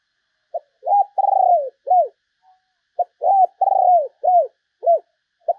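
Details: Spotted dove call used as a decoy to lure other doves: two low cooing phrases, each a short note, a stuttering rolled coo, then drooping falling notes, with a pause between phrases.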